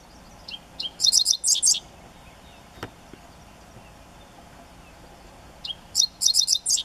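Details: A Dickcissel sings twice one morning at Eagle Bluffs, about five seconds apart: a few sharp, high lead notes, then a quick run of dry, buzzy chips; a faint click between, and a background call possibly from a yellowthroat as it ends.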